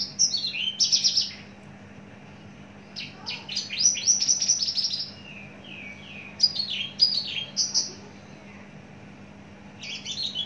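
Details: Mature captive Javan bush lark, kept for a long time and very large, delivering rapid high twittering phrases with falling whistled slurs and buzzy trills in separated bursts, steady hum beneath.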